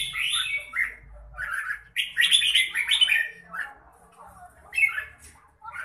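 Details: Mãng nhãn-style song of a red-whiskered bulbul: lively gurgling whistles in several quick phrases, loudest in the middle, then softer trailing notes.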